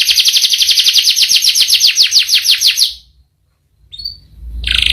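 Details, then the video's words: Canary delivering fast repeated downslurred notes in a rolling sequence for about three seconds, then a pause, a short chirp and the start of another trill. "Burung kenari gacor ngerol panjang"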